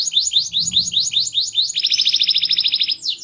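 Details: Small-bodied canary singing loudly and with much variety: quick repeated downslurred whistles, then a rapid buzzy trill held steadily high, closing with a short rising note; a faint low hum lies underneath.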